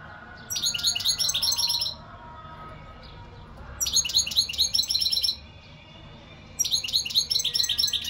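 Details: European goldfinch singing in three dense bursts of rapid, tinkling, metallic twitters, each lasting over a second, with quiet gaps of about two seconds between them.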